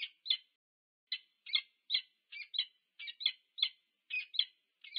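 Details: Peregrine falcon pair meeting at their nest on a nest camera at UC Berkeley, USA, on 2 November 2022; harsh, clipped calls come in quick doubled bursts, about two pairs every second, with a silent background.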